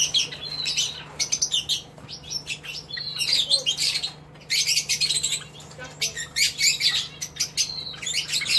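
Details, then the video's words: Northern red bishops (Euplectes franciscanus) give a busy, sizzling chatter of high buzzy notes and rapid twitters in overlapping bursts, with a steady low hum beneath. "Euplecte franciscain - Northern Red Bishop"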